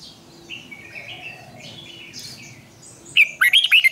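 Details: Red-whiskered bulbul sings in the twisting 'giọng xoắn' style used to train birds to sing in contests. Soft background twitters give way to a loud, fast burst of looping whistled notes.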